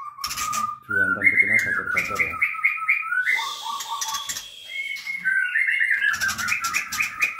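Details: White-rumped Shama (murai batu) in a cage at a local breeding farm housing males and females; continuous whistled song with sliding notes and rapid chattering trills, several birds overlapping, a low hum beneath.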